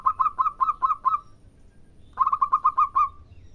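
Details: Zebra dove, local bird, singing as a lure for other doves: two rapid trilled bursts of soft cooing notes around mid pitch, about six to eight pulses each, separated by a short pause.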